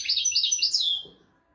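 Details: European goldfinch tutor song for goldfinches and canaries: one second of quick, high, tinkling twitter notes that fade out.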